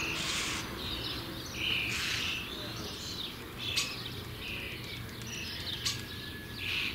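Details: Young common starlings close to fledging give scattered rasping, hissy calls, broken bursts of noisy sound with short gaps and uneven timing, against a steady low background hum.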